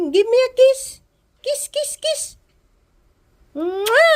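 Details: A male cockatiel, prompted by hearing a person's voice, mimics human speech in short, nasal, rising phrases with pauses between.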